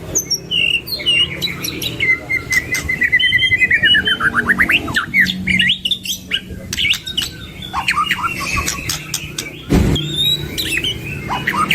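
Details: White-rumped shama pair in energetic song with many varied fillers, mixing rapid downslurred whistle series, clear rising phrases and loud clicks, with brief pauses between bursts.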